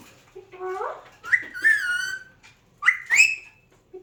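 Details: Talking Alexandrine parakeet imitating "hello" and "meow": a low wavering nasal note, then several bright, sharply rising harmonic syllables in quick pairs, separated by short silences, with a faint soft note at the end.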